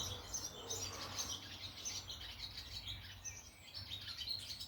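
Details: Little swallow chattering in Ireland, County Laois: a busy run of high, scratchy twittering chirps with a low hum underneath.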